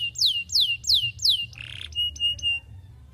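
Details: Canary courting a female, song meant to lure other canaries into rolling song: four loud descending whistled sweeps about every third of a second, then a buzzy rasping note and short clipped high notes.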